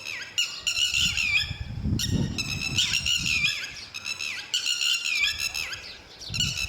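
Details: Northern lapwing; alarm call; protecting its chicks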